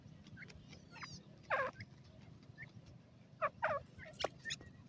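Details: Grey francolin in forest, giving loud harsh stacked calls in short bursts, one early and a pair a couple of seconds later, with faint twittering of small birds and a low background hum.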